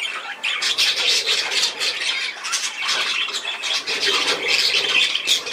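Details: Dense budgerigar chattering, a steady stream of rapid, gritty squawks and chirps with hardly a pause, at a fairly even loudness throughout, indoors.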